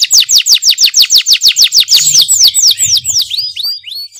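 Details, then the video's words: Caged canary in energetic 'ngerol nembak' song: a rapid, evenly spaced string of sharp down-slurred whistles, roughly four per second, slowing into curved, rising notes toward the end, with a faint low hum. "KENARI GACOR NGEROL NEMBAK | CANARY SINGING"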